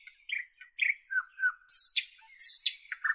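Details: Short nightingale phrase: slurred chirps, a low sustained whistle, then loud harsh high rasping notes twice and a final lower chirp.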